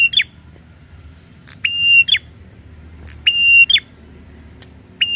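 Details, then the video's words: Agitated, angry prinia giving harsh, buzzy calls, each a flat nasal note of about half a second ending in a sharp flick, repeated in pairs about every one and a half seconds over faint low background rumble. "BIKIN PRENJAK EMOSI DAN NGAMUK !!"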